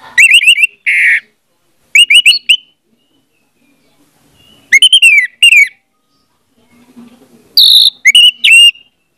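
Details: Orange-headed thrush song played to stimulate a mute bird to sing: repeated groups of crisp whistled, slurred notes, each phrase of several quick notes, spaced by pauses of a second or two, with a brief buzzy note.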